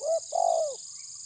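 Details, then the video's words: A brief low hoot followed by a long, smooth, downward-curving coo from a spotted dove challenging a rival in the tabir style, backed by a steady high hiss. "Terkukur menekan lawan bikin emosi ~TERKUKUR TABIR"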